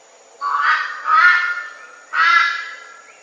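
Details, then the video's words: Red-billed Brush-turkey giving its loud, raucous three-note call: a lower first note, then two harsh honking notes, with a clear gap before the third; nasal, goose-like quality, quiet background. "The voice is loud, raucous,"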